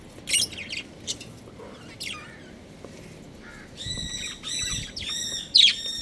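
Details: Pet budgerigars at home chirping while playing: scattered sharp high chirps early on, then a run of rapid, harmonic, buzzy warbling notes repeated in quick bursts toward the end, with a quiet low background hum.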